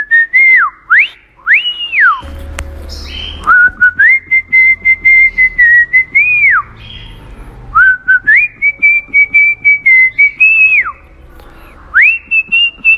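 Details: Cockatiel (Nymphicus hollandicus) whistling a learned tune, "Kalau kau suka hati", in clear, sustained notes that slide up and drop away, with music in the background.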